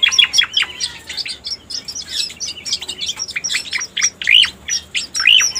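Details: Striated grassbird sound used for luring: scattered sharp chips mixed with a few louder rising whistles, irregular and lively over several seconds.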